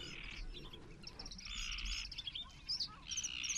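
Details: Water rail in January 2022 at Rutland Water Nature Reserve: drawn-out, rasping squeals in long bursts separated by brief pauses, with light chirping from other birds.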